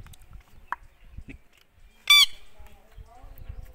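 An Indian ringneck parrot gives one short, harsh, rich screech, with faint clicks and low room noise before and after.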